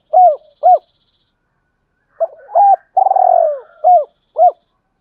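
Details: Male spotted dove lure cooing meant to provoke fighting and call a mate: paired short hooted coos, then a long wavering drawn-out coo and more short falling notes, in a clean, quiet recording.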